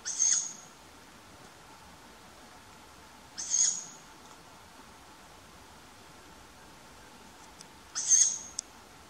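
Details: Juvenile tawny owl begging for food from its parents at night in May, Funbo east of Uppsala, Sweden. Three harsh, hissing screeches, each under a second, spaced about four seconds apart, against a quiet background.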